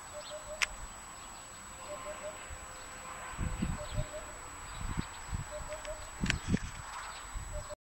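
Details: Eurasian hoopoe singing on 24 February 2013, recorded while out gathering wild asparagus. Soft, low hollow hoots come in short groups of about three, repeated every two seconds or so, over thumps, rustling and a few sharp clicks from handling or footsteps.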